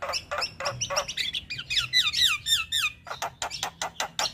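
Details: Male Javan myna kept to train other mynas repeats scratchy chips, then a series of downward-slurred whistles, followed by evenly spaced harsh clicks.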